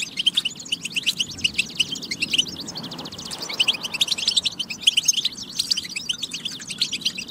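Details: European goldfinch singing on a batba track used to prompt goldfinches into song: fast liquid twittering, with a brief buzzy rattling trill near the middle, then further bright chattering phrases.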